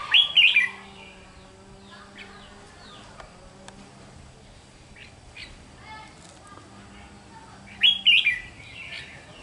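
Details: Red-whiskered bulbul, described as a raw chào mào mộc bird, uttering two loud, quick bubbling phrases, one at the opening and one near the end, separated by quiet faint notes and a low background drone.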